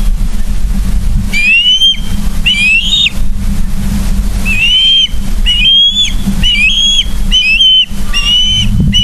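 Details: Ospreys on a Charlo, Montana live cam, 31 August 2023, 09:36: a run of piercing whistled calls, each slightly rising then dropping, coming in quick irregular succession above a constant low droning hum.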